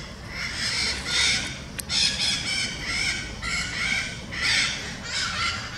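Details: A flock of parakeets (maritacas) in São Paulo, Brazil, gives harsh, grating screeches that overlap in bursts every second or so, forming a nearly continuous raucous chatter.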